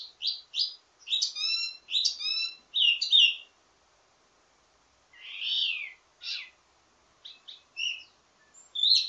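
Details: High, varied chirping from a wambi mini in ledekan (teasing) style with many variations, for training its own kind. Bursts of forked notes come in a run, then a silent gap, then scattered rasping and sharp calls.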